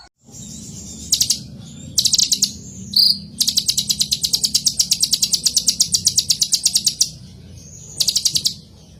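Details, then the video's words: Purple-throated sunbird, known as kolibri ninja, singing a long, very high, fast metallic trill of evenly repeated ticking notes lasting several seconds, framed by shorter trilled bursts over a low steady hum. "suara Kolibri ninja terbaru"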